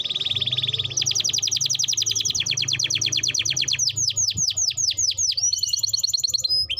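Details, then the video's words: Canary song used as a lure to get young canaries singing quickly: a long, fast, high trill of rapid repeated notes, shifting into dropping whistled sweeps and then another high rattle, with a low steady hum behind. "Pancingan kenari belajar bunyi | Pancingan burung kenari paud agar cepat bunyi"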